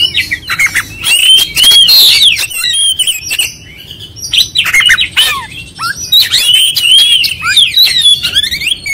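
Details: Oriental magpie-robin unloading its full song repertoire: bursts of sweet slurred whistles alternate with rasping chatter, loud stretches broken by softer moments.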